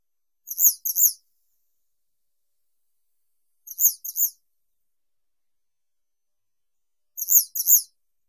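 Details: Western yellow wagtail gives paired, sharply downslurred high notes, each pair repeated about every three seconds, with silence between phrases.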